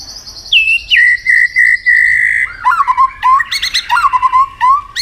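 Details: White-rumped shama singing a long, many-voiced duel song: a high thin note drops into a steady sustained whistle, followed by warbled, lower fluting phrases and quick chattering notes.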